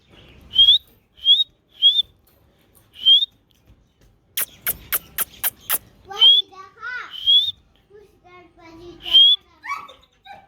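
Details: Pet cockatoo whistles a string of short, bright upslurred notes spaced about a second apart, then a quick burst of sharp clicks, then more whistles mixed with wavering talk-like syllables, while talking and dancing.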